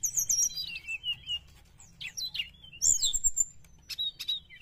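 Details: Sooty-headed bulbul song used as a lure for wild birds: quick high chirps and short descending whistled phrases, with sharp accented notes near the end and a low background hum.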